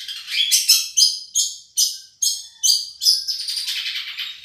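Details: Madura long-tailed shrike, a champion-class bird whose song serves as a tutoring model: sharp, loud chips repeated roughly every half second, then a fast buzzy chatter.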